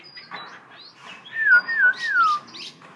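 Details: Brief burst from a tamed Black-throated laughingthrush: three pure whistled notes sliding downward in quick succession, framed by softer high squeaks.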